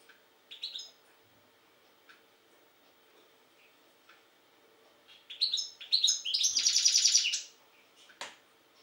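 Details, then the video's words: European goldfinch from Jagodina, Serbia: after scattered faint chirps, a burst of high twittering builds into a fast, dense tinkling trill lasting about two seconds, ending with a lone short note. "Stiglic-Jagodina 5"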